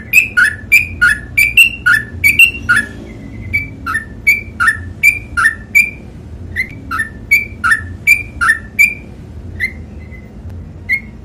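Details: Sooty-headed bulbul (trucukan) singing in the long ropel panjang style: a rapid run of paired whistled notes, a higher clear note dropping to a lower one, about three each second for eleven seconds, with a low room hum.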